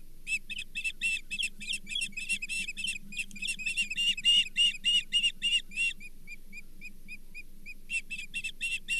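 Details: Osprey at the Charlo nest on 24 April 2023, sharing a brown bullhead; loud run of piercing chirps that fades to a few soft, spaced notes, then resumes, with a low hum beneath.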